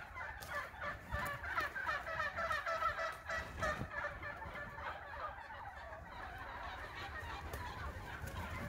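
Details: A flock of wild turkeys that roost on the property gives a dense, continuously overlapping chorus of rapid mid-pitched yelps, clucks and gobbling as they rise from the roost.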